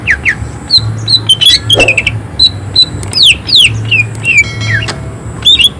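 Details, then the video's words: Greater green leafbird in full, emotional song with harsh shooting bursts: a fast, irregular string of thin whistles, steep down-sweeping slurs and short chirps, about three notes a second, with a faint low hum underneath. "Cucak ijo gacor tembakan suara kasar emosi tinggi"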